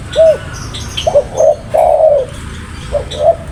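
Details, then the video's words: Spotted dove cooing: a curved coo, a few short notes, then a long slurred coo that falls away, followed by more brief coos; faint higher bird chirps behind. "Burung Tekukur Paling Gacor"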